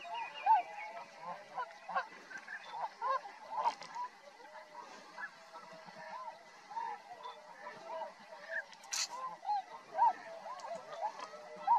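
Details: At Rosedale and Munson in Drumheller, Alberta, Canada, a tundra swan flock calls steadily: quick high honks, several arched and bugle-like, repeated irregularly through a busy background chorus of further swans.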